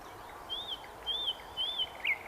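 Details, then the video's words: Nightingale singing at Svyatoe Lake (Holy Lake): three drawn-out, clear whistles, each slightly arched in pitch and spaced about half a second apart, end in a short sharp note, with a soft background hiss. "Пение соловья"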